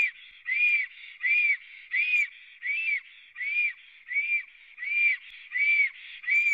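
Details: Three black storks on a nest in Latvia, recorded by a live nest camera on 24 April 2017 just before noon: steady, arched whistled notes repeated about every 0.7 seconds, each with a softer buzzy note between them.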